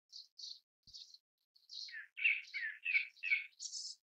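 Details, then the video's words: Grey-backed thrush, Turdus hortulorum, giving a short burst of song: a few thin high notes, then a quick string of lower rich warbled notes ending on a high whistled note; quiet background. "灰背鶇(灰背赤腹鶇)/Grey-backed Thrush"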